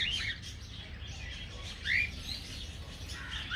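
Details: Budgerigars in an aviary colony give soft background chatter, broken by a few clearer, rising, slurred chirps about two seconds apart.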